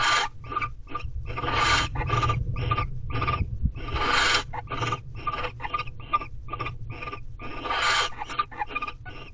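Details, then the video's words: Wild barn owls mating inside an owl box at a corral on a late-February afternoon. Rapid rasping, hissing bursts follow one another in uneven clusters, some longer and louder screeches standing out, over a steady low hum. "Barn Owls Mating"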